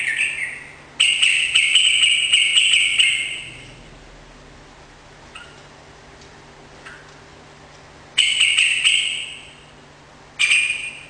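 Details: Energetic song of a sooty-headed bulbul intended to trigger a caged bird to reply; loud bubbly whistled phrases of two to three seconds, separated by quiet gaps, with sharp clicking ticks mixed in.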